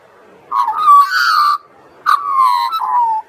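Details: Seaside carolling from an Australian magpie: two long warbled phrases, each a bright, slightly rising note that slides down in a wavering glide. A short pause separates them, with a final lower note at the end.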